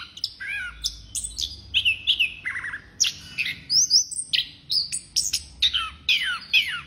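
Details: Orange-headed thrush singing nonstop in a rich, varied stream: sharp whistled notes, downslurred slides and bright chirps tumbling one after another about once a second, with some phrases sweeping high and clear and others dropping lower.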